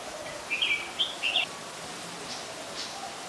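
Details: Adult Red-whiskered Bulbul recorded in Ubon Ratchathani, Thailand, on 31 December 2020; three short, bright chirped notes in quick succession within one second, then faint distant chirps over a steady background hiss.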